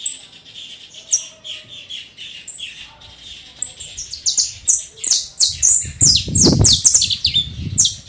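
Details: Domestic canary (canário do reino) singing a fast run of high, bright syllables and trills that grows louder and denser toward the end, with a low rumbling background noise underneath.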